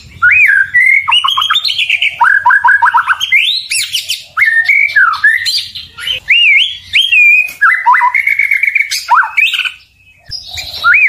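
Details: White-rumped shama pouring out song intended to make rival shamas respond: rich whistled phrases rising and falling, bursts of quick repeated notes, high sharp sweeps and a brief pause near the end.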